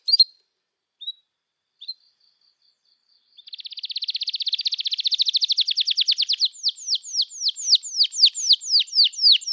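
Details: Canary song used to coax young birds into learning and to restart silent singers: a few scattered chips, then a rapid rolling trill of short notes, switching to a repeated series of sharp, falling whistled notes.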